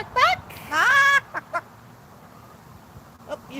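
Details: Pet Moluccan cockatoo giving his trademark happy bok bok clucking when asked, at a patio gathering: two loud harsh rising squawk-like clucks then a short softer note, followed by quiet room noise and a faint voice.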